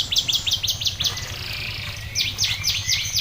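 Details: Champion competition canary singing a song tutored with ciblek (prinia) phrases: rapid series of high, thin downward-sweeping notes repeated quickly, a short pause, then another fast run of descending sweeps over low steady background hum.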